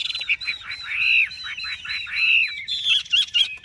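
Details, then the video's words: Large-bodied Chinese hwamei from Vietnam delivering rich, continuous song, with looping whistled slurs that rise and fall, then a quick burst of sharper, higher notes near the end. "Họa mi bộ to"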